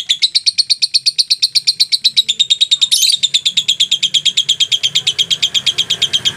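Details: Continuous ngekek from a lovebird: a long, rapid rattling trill of high squeaky notes, steady in pace, with one brief louder burst midway; used to coax other lovebirds into answering.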